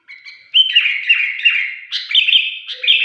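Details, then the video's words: Sooty-headed bulbul singing in a lively, chatty way with an unusual shrill voice: a run of high, sharp, slurred notes that step down and back up, then a brighter burst of clipped phrases near the end. "kutilang gacor dengan suara aneh melengking"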